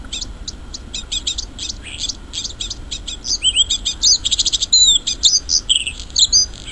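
A Bluethroat sings a run of high ticking notes that speed up, then breaks into varied metallic whistles, rattles and buzzy trills. Faint background hiss.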